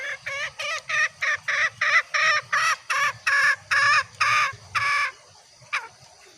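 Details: Female green junglefowl lure call used to draw males closer: a fast series of about a dozen harsh, clucking notes, each short and evenly spaced, loud and clear, ending with one faint note after a pause.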